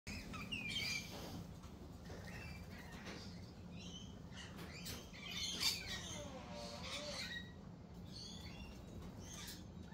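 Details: Lorikeets calling at a cafe, a mix of sharp high chirps and short screechy notes, some falling in pitch, scattered through a steady background murmur of outdoor noise.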